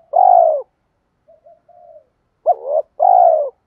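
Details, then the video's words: Spotted dove in a decoy call recording from 2024, giọng thổ style. A long hoarse coo is followed by faint low murmurs. Then comes a full phrase: a wavering double note and a sustained, slightly falling coo. "Tiếng chim cu gáy Thúc gù gáy kích bổi cực nhạy nhất hiện nay, Chim cu gáy kích bổi 2024"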